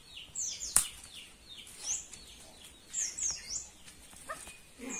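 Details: Cucak pantai from Papua, singing actively: a rapid run of bright, high whistled notes, many sliding downward, tumbling at an irregular pace with brief pauses and a sharp louder note near the start.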